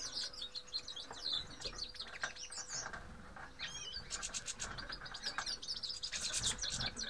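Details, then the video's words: A group of grey-headed goldfinches (Carduelis caniceps) giving busy high twitters and chirps, with a brief lull then a swooping call and renewed bursts of bright chatter, over a low steady hum. "Grey-headed Goldfinch. Седоголовые щеглы"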